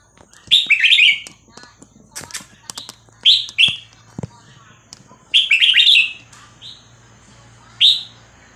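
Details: Red-whiskered bulbul of the Vietnamese type singing a 3-4-5-6-7 style song, played to teach young birds and excite them: loud, quick bubbly whistled phrases, four bursts with short pauses, plus sharp clicks and faint taps.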